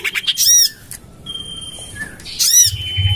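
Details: Common iora lure call to attract birds, tested in a garden beside a house: two harsh rasping squawks around a long thin steady whistle and a soft short note.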